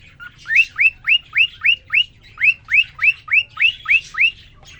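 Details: Male cockatiel (quarrion), caged alone for three days, sings right after a female is introduced to him: a fast series of about thirteen clear rising whistled notes, each sliding upward, repeated evenly about three per second.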